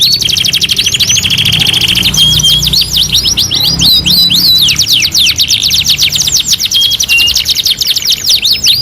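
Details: Masteran canary song, two in one: a two-second rolling trill with a held whistle, then a burst of tumbling, curved whistles mixed with fast chattering trills.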